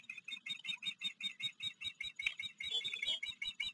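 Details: Osprey at a river nest camera on Blackwater River, Maryland, on the afternoon of July 28, 2022, when a recently fledged chick from a neighbouring nest visited. Sharp high chirps repeat rapidly, about three per second, throughout.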